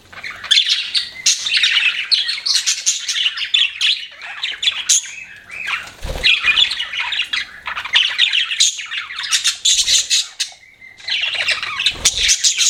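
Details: Lively pet budgerigar chatter, bursts of shrill squawks, clicks and warbled chirps from several birds, interrupted by a brief low thud and short pauses.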